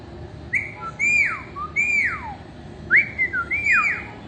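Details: Parrot whistling indoors: a series of clear, loud whistles, each rising then sliding steeply down, some paired with short lower notes, in uneven bursts over a faint room hiss.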